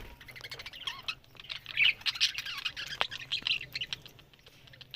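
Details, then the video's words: Several budgerigars talking, recorded October 1: squeaky, twittering warble with short wavering whistles and squawks, loudest around the second second, then fading into softer scattered chirps. "Beautiful Budgerigars Talking"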